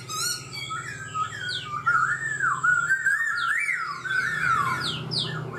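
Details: Caged black-throated laughingthrush, kept for four months and in training, gives a flowing warbled whistle. The tone rises and falls in smooth waves, with brief higher swooping notes over it and a steady low hum underneath.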